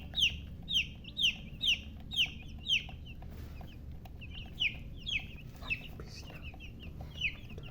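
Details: Baby chicks chirping: bright, high, downward-slurred peeps repeated about twice a second in a quick run, a short pause, then more scattered peeps over a low background rumble.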